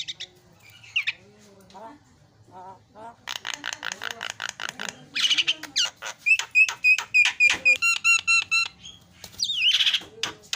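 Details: Javan myna singing hard, recorded to stir other mynas into song: soft low warbles at first, then a fast rattling series of clicks and buzzy notes with a steady whistled tone, ending in a rising harsh squeal.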